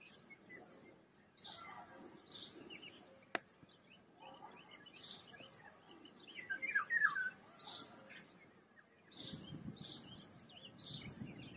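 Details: In a forest, several small birds trade high, thin chirps in quick bursts, and one gives a brief bright warble partway through; a click and low wind rumble sit underneath.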